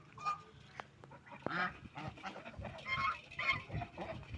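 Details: Ducks eating food and drinking water give several loud nasal honking calls, harsh and harmonic, scattered through the clip among splashing and pecking sounds.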